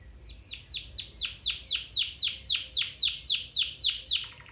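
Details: Domestic canary song used for training a canary to sing, a rapid series of about fourteen descending sweeping notes repeated around four per second, ending in a short buzzy trill.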